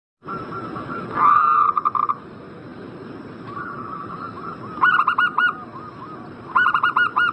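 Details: Zebra dove call used as a lure to prompt a bird in breeding condition to answer quickly: short bursts of rapid, stuttering staccato coos, with a louder swooping note early on, over steady broadband background hiss.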